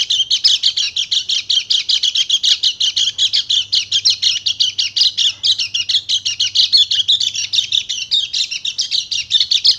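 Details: Continuous rapid-fire song of a Bali Dakun white-eye, used to provoke silent males into singing: dense, unbroken, high twittering notes tumbling quickly for the whole stretch.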